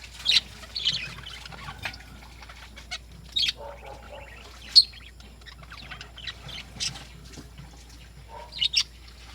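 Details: Lovebirds in the morning giving scattered shrill chirps and short squeaky bursts, spaced a second or two apart with quiet gaps between, plus a few lower chattering notes.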